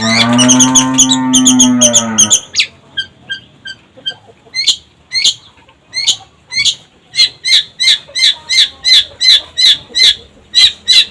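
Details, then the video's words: Long-tailed shrike lure song opening under a loud low droning tone, after which spaced, sharp chattering notes emerge and quicken into a regular run of about three harsh notes a second. "Pancingan Cendet Gacor"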